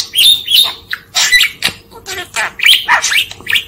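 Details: A talking budgerigar out of its cage for midday free flight chatters in quick, scratchy warbles broken by squeaky, rising chirps.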